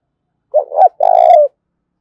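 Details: Spotted dove, wild-caught bird with a 'thổ pha đồng' voice, calling hard in a fighting contest; one full coo phrase, two quick rising-falling notes then a sustained buzzy note that drops at the end.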